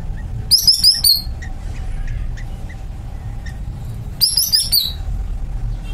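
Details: Greater green leafbird, kept in a cage, sings two quick phrases of high, rippling whistles that slide downward, about three seconds apart, with faint chirps and a low hum in the background.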